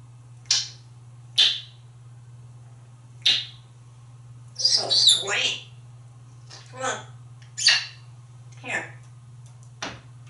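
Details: An African grey parrot in a romantic mood in a bathroom, kissing and courting a towel, gives a string of sharp, smacking kiss sounds, roughly one a second, with a brief scratchy burst midway over a steady low hum.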